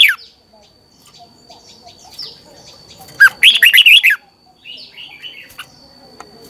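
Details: Red-whiskered bulbul singing in the morning, a training song used to spur other bulbuls into full song: one loud, quick burst of warbled, bubbling notes near the middle, with softer scattered chirps before and after and a faint steady high tone throughout.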